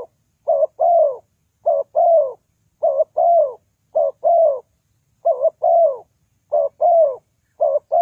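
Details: Mellow cooing of a spotted dove played to lure birds into traps, the pattern of a short doubled note and a longer sliding-down coo repeated steadily about every second.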